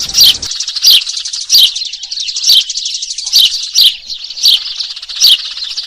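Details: Eurasian tree sparrow lure calls for trapping birds: piercing, high, descending chirps at a steady pace of about one every 0.7 seconds, layered over a thick, buzzy chatter.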